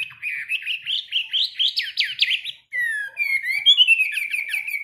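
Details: Chinese hwamei kept in a cage, singing during daily morning training. A quick run of short upslurred notes is followed by a brief silence, then a sweet, fluid warble of rising and falling whistles.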